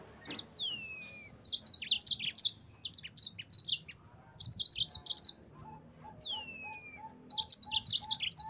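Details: Yellow-fronted canary song used as training material: bursts of high, rapid chirps and trilled notes, with long whistled slurs gliding downward, then a steady run of lower repeated piping notes near the end.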